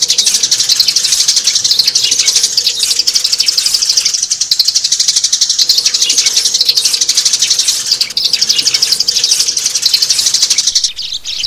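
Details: Adult sparrows, recorded as a lure sound for catching adult birds this season: dense, fast high chirping repeated about four times a second, steady and unbroken, with a faint low hum underneath.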